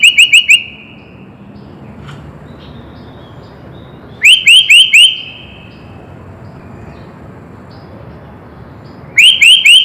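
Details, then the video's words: Sooty-headed bulbul full song for prompting birds to sing: three bursts of four clear, upslurred whistles about every four to five seconds, each trailing off into a faint held tone, then silence between. "Suara Kutilang Full Isian - Biar Makin GACOR"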